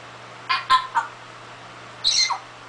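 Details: Pet parrot imitating a human cough, a learned sound; three short harsh bursts in quick succession, then a pause and a longer rasping burst, with a steady low hum underneath.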